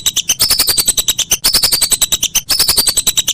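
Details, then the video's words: Whistling duck, recorded as training material for songbirds: a steady rattle of piercing high notes, around ten each second, with drooping whistled glides repeating about once a second. "Masteran Burung Belibis"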